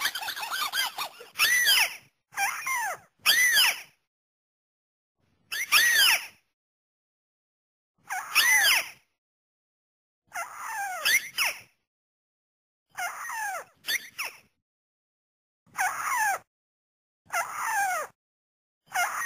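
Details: White-browed crake lure call, used to draw birds in for ambush hunting, nets and snares: bursts of harsh, squeaky, downward-sliding notes with rich overtones, given in short clusters separated by irregular silent gaps.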